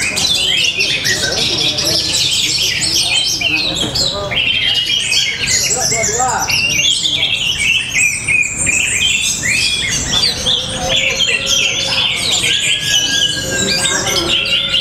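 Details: Orange-headed thrush (Geokichla citrina), song.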